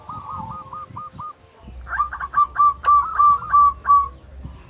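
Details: Local zebra dove with a big, active voice, used to stir other doves into calling: a soft run of short hooked cooing notes, then a louder series of clipped, bouncy coos at a steady pace.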